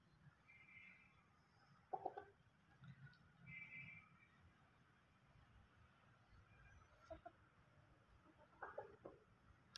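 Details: Desi chickens, local village fowl kept at home, giving a few short harmonic clucks near two seconds and again near nine seconds, with softer notes around three to four seconds over a quiet, low background.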